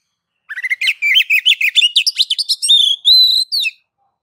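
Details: Oriental magpie-robin in a plain ngeplong-style master song, used to coax other magpie-robins into singing: a fast run of sharp varied whistled notes climbing in pitch, ending in long clear level whistles.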